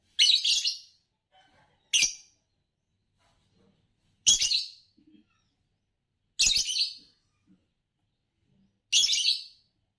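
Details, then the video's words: Green Fischer's lovebird, a colour type noted for long songs and for winning bird song competitions in Indonesia, gives harsh, buzzy chirp bursts, five of them spaced about two seconds apart in an otherwise quiet setting. "Spectacular Chirps from World Champions - Lovebirds Chirping Sounds"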